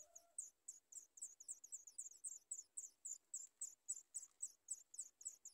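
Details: Sooty chat chicks at the nest beg for food with thin, very high squeaky notes, repeated about three or four times a second. A brief lower tone opens the sequence.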